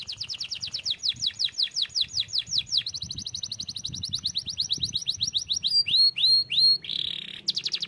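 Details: Singing canary in an extended phrase: repeated downward slurs, a long rapid trill, loud curved whistled notes, a brief buzzy note, and a renewed burst of slurs, with soft low background noise.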